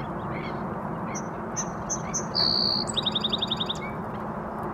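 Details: A song sparrow sings from a reed at Coast Casey Forebay, California, on 19 March 2024: several clear, evenly spaced high notes, a brief buzz, then a fast, bright flourished trill; black-necked stilts call in the background over low rumble.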